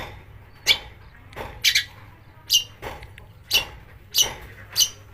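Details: Long-tailed shrike used as a lure to provoke other shrikes into singing; a series of harsh, rasping notes comes roughly every 0.6 seconds over a low steady hum.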